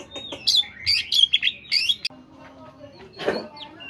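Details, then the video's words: Morning song of an Oriental magpie-robin used to coax caged birds into singing: a quick run of sharp high whistled phrases, then quieter notes and a burst of scratchy sound. "terapi kacer pagi hari PANCINGAN kacer biar cepat bunyi"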